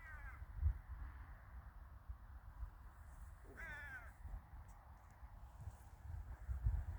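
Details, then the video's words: Crows calling in a village in winter: a descending harsh caw at the outset, then a louder, longer, buzzy caw midway, over low wind-like rumble and occasional thumps. "the sound of crows"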